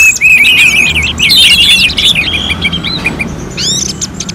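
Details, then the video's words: Orange-headed thrush in contest-simulation singing: rapid chain of bright whistles and chattering notes, dense at first, then sparser higher sweeping whistles toward the end, with faint background hum. "KICAUAN ANIS MERAH SEPERTI SIMULASI LOMBA"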